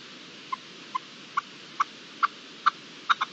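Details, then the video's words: Red-legged partridge in the wild, March 2022: eight short chuck notes at a steady pace, starting soft and pure and becoming louder and harsher, ending in a quick double note. "Reclamo de perdiz roja en libertad"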